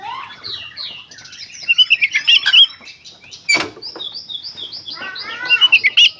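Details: Oriental magpie-robin (kacer) in full 'gacor konslet' song, used to stir other kacer into singing: rapid, jumbled run of high whistles, rising and falling slurs and harsh chattering notes with brief pauses.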